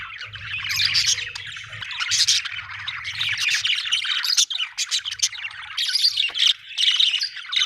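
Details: Happy budgies chirping in a loud, unbroken chatter of harsh squawks, ticks and warbling trills, with a faint low hum in the first half.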